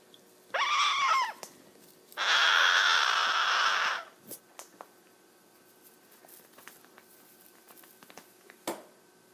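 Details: A male pet cherry-headed conure gives a rising, ringing squawk, then a long harsh screech of contentment, described as the sound of parrot happiness.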